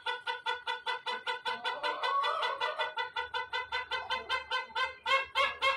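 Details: Long crow of a white rooster, held as a steady train of evenly pulsed, harmonic notes about four per second, swelling slightly near the end.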